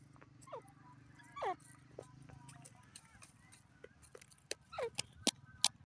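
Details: Grey francolin calling: loud, harmonic notes sweeping downward near the start and again just before five seconds, separated by quieter stretches with sharp clicks and tapping sounds and a low steady hum.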